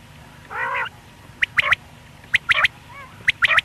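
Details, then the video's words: One male quail, morning and night, hunting: a harsh nasal honking call opens, then sharp clicking notes in quick triplets recur about every second, with a faint softer nasal note between. "Batair ki single awaz single male Quil beautiful sounds morning and night hunting بٹیر کی سنگل آواز"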